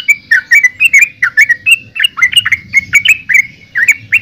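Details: Yellow-vented bulbul song, a rapid run of bubbly, warbled notes around the mid range, rising and falling in quick succession with several short phrases per second, loud and close, with a faint low hum underneath.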